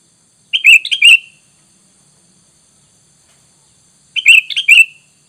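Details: Sooty-headed bulbul call played to lure wild bulbuls into answering; two bursts of three quick, sharp, bright chirps, each burst under a second, separated by about three seconds of silence.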